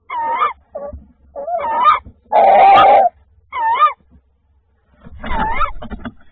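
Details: Tawny owl calling on 28 February 2024 as the male delivers prey: a series of wavering, nasal, harmonic notes in short bursts, with one loud, harsh, sustained screech in the middle.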